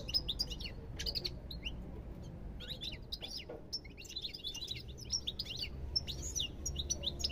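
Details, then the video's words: European goldfinch song in quick bursts of high twittering chirps and slurred notes, a couple of short gaps between phrases, over a soft low rumble. "ربع ساعة من تغريد طائر الحسون"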